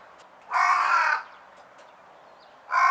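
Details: A carrion crow gives its ordinary call, a harsh, hoarse caw lasting under a second, then starts a second caw after a short pause against a quiet background.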